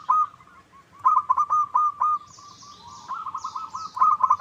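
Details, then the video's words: Zebra dove lure call, played to make another bird sing back, with repeated bursts of soft rolling coos around one steady pitch, some phrases overlapping as if more than one dove is calling. Faint high chirps from other birds sit in the background. "Pancingan PERKUTUT LOKAL Agar Bunyi"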